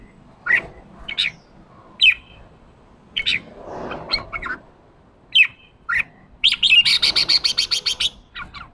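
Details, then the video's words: Red-whiskered bulbul, a newly caught wild bird being trained and stirred up to sing the harsh 'ché' fighting song. Separate sharp whistled notes sound every second, then a rapid buzzy rattling series runs for about two seconds near the end. "Kích chào mào bổi ra giọng ché chào mào ché kích trống căng lửa ché"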